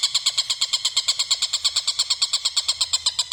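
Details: Cackling call of a kingfisher known as tengkek buta: a clean, continuous string of harsh, high-pitched notes delivered at a brisk, regular pace of about three per second.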